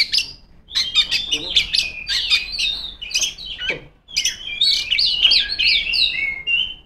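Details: A female kacer, or Oriental magpie-robin, singing full and loud to challenge rivals, pouring out a fast run of clear whistles, chattering trills and sweeping slurs, with one short silence before the song resumes with equal energy.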